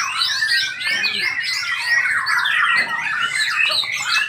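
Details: Several white-rumped shamas sing at once from their hanging cages at a bird-song practice contest, a dense tangle of rich whistles, rapid trills and harsh chattering notes, with faint human voices beneath.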